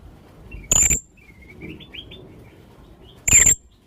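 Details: Young blue-crowned hanging parrot calls used as a lure. Two piercing, shrill high notes about two and a half seconds apart, with soft rising twittery whistles between them.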